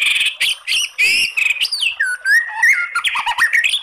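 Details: White-rumped shama in crackling 'kretekan' singing with long bursts, played to provoke singing: dense run of buzzy rasping notes mixed with slurred rising and falling whistles, delivered rapidly without pause.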